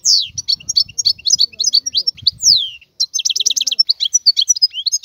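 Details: Wild European goldfinch singing a rapid, high twittering song of tinkling notes and buzzy trills, with a long downslurred note midway and a pause before a fast burst of repeated chirps; faint low rumbling underneath.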